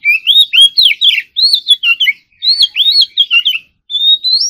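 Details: Oriental magpie-robin in morning singing practice: clear, loud, looping whistles with overlaid sharp ticks, delivered in quick groups separated by short pauses, ending on a long rising whistle.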